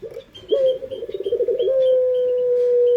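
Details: Pet puter pelung dove lure call, close and loud: a sudden rising note, a fast pulsing rolling purr, then an unbroken long, flat, very slowly falling coo, with soft distant chirps behind.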